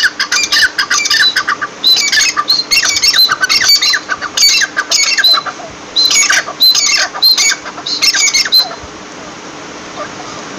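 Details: Partridge (teetar) calling in harsh, squawky bursts of rapid notes, repeated in clusters about every second over roughly nine seconds, then quiet; faint steady hum underneath.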